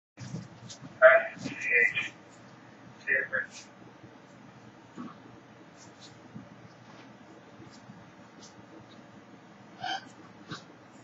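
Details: A baby female lesser sulphur-crested cockatoo playing with her blanket gives a few short, raspy, chattering squawks, then quieter murmurs and a final brief squawk, with a person's voice nearby.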